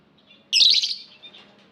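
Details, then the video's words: Aviary lovebird calling: a single loud, harsh, screechy chirp lasting about half a second, followed by faint softer twitters. "Lovebird Singing Call & Chirping Sounds v2"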